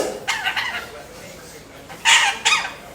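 A lorikeet imitates a cough: two pairs of harsh, broadband bursts, the first soft near the start, the louder pair about two seconds in.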